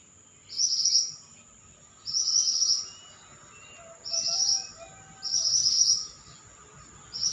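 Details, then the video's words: Pied bushchat in lively song: four clear high buzzy trilled phrases, each under a second, coming roughly every one and a half seconds, with a few soft lower whistled notes between them. "Burung Mantenan Gacor"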